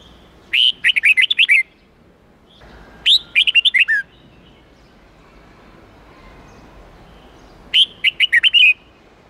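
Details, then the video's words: Red-whiskered bulbul song for young birds to copy, in the 8-9-10 note wild style: three lively phrases, each a leading whistle then a quick rattle of descending chirps, spaced a few seconds apart. "Luyện Chào Mào Hót Giọng 8-9-10 Ép Chim Non Học Giọng Chuẩn Rừng"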